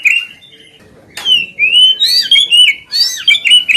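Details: White-rumped shama singing as a lure to trigger other birds: a steady whistled note, then a varied string of fluting, warbled phrases that rise and fall, with sharp accents.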